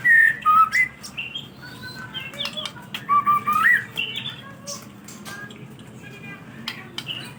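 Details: White-rumped shama singing to prompt other birds to sing, with loud whistled notes that rise and dip, then scattered clicks and chattering, over a low background hum.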